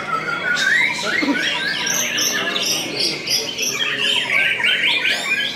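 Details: A contest white-rumped shama, just after moulting and hung on a display hook, pours out a rich, fast song of whistles, rising and falling sweeps and chattering notes, with barely a pause throughout.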